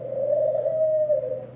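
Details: Pigeon giving one long, steady coo at mid pitch that holds level for about a second and a half, with a low hum underneath.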